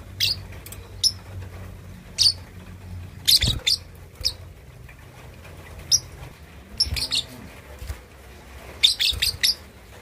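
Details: Young lovebird, two and a half months old, practising its ngekek chatter, said to suit provoking rival birds: thin, high, clipped chirps, singly and in small clusters, spread through the recording with low hum beneath.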